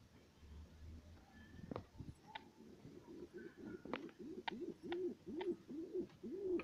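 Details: A home-bred pair of satinette pigeons: soft, low, rolling coos about twice a second, with sharp clicks and knocks in the background.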